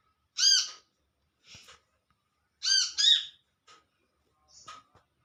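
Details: Wild olive-backed sunbird calling to companions, giving a rasping, arched single note, then a quick double note two seconds later, separated by soft clicks and short chips.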